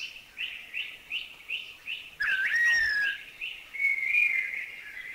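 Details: Thai streaked wren-babbler with a quick run of repeated chuchi notes, then a loud plaintive whistle that slides downward, followed by a longer sustained whistled note.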